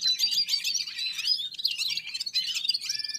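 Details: Red-fronted serins singing in unison with other birds as they warm up, a short burst of dense, high, tinkling twitters and thin whistled notes.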